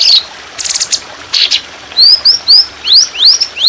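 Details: Indonesian trotolan songbird on a training recording with water sounds: brief buzzy notes, then a series of clear, quick upslurred whistles repeated several times.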